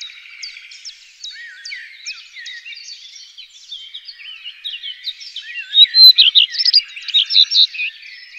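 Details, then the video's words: Common redstart song: a quick, high-pitched run of twittering and warbled notes, growing louder and more animated toward the end. "gekraagde roodstaart zang"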